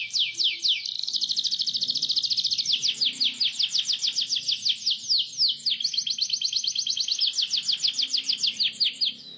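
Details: Canary singing a long rolling song for young canaries to copy: steady rows of sharp, high downslurred notes run together into a dense trill, briefly break, then resume at the same fast pace.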